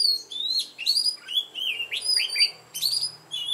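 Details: Lure red-whiskered bulbul in mountain-forest singing style, used to provoke fighting song, giving a rapid run of clear whistled, warbling notes that slur up and down, with brief pauses between short phrases.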